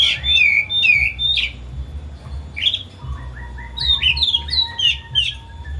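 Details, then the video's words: Agitated pet Oriental magpie-robin in a cage, singing as a lure for a bird that will not sing: opening falling whistles, then a quick run of rising and falling notes with softer lower echoes, over a steady hum. "Kicau Kacer Rumahan Emosi Buka Ekor Ngeplong Terus"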